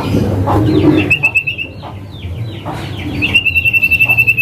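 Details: Male common iora calling as a lure for birds that have gone quiet: quick chirps, then a rapid pulsed whistle trill held for about half a second, and a longer trill closing the recording, over low humming noise.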